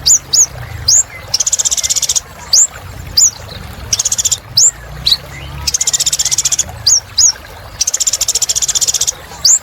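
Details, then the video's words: Vigorous little spiderhunter song mixing single high rising whistles with long, fast, buzzy trills of even rapid pulses, the two patterns alternating steadily. "Kolibri Ninja Gacor Untuk Terapi Burung Macet Bunyi"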